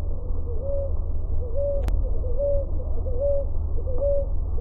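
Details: Ruddy ground dove (Columbina talpacoti) song: soft, low two-part coos, each rising then held, repeated about once a second over a steady low hum.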